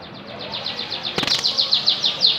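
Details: Canaries in Samarinda: a quick string of high downslurred notes repeated several times a second, broken by a sharp clatter near the middle, over a hissy background.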